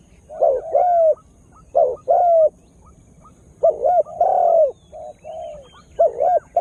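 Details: Lure spotted dove, just beginning to call, attracting wild birds: doubled and paired coos, short notes leading into longer falling ones, in irregular bursts with gaps.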